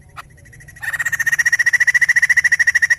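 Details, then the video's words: White-crested laughingthrush singing vigorously, a recording meant to stimulate other birds to sing: after a short quiet start with one faint note, a fast run of harsh, evenly repeated chattering notes fills the rest. "Burung poksay Jambul gacor"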